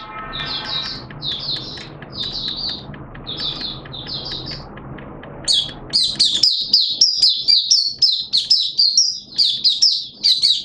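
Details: Malaysian Oriental white-eye, a kept song bird in open singing, starting with separate high chirped phrases over low background rumble, then bursting into a fast run of thin, high, twittering notes from about six seconds on.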